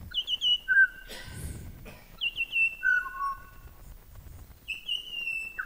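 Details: Australian pied butcherbird repeats its species call, a flutey whistled phrase three times: quick high notes sliding down, then a clear lower note, with a few dull thumps and rustles breaking in.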